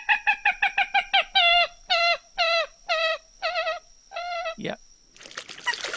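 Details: Common Gallinule (Common Moorhen), a marsh bird, gives a chattering series of nasal, chimpanzee- or monkey-like clucks, quick at first and then slowing into longer notes, over a thin, steady, high whine.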